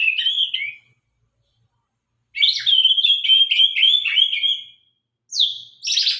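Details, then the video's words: White-rumped shama, Sabang strain, singing with a sharp voice: a brief high whistled phrase, a silence, then a long run of rapid warbled and trilled notes, ending with a piercing downward-sweeping whistle and a buzzy burst. "murai batu gacor murai sabang suara tajam"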